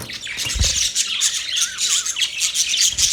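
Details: Budgerigars warble continuously, mixing high scratchy chirps with wavering, looping whistled notes lower down, over brief low thumps.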